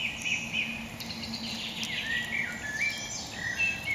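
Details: A bird sings in woods at around 2 AM, apparently stirred by a rekindled campfire, among thrushes and nightingales: quick twittering phrases with short chirps and slurred notes over a steady low hum and thin high hiss.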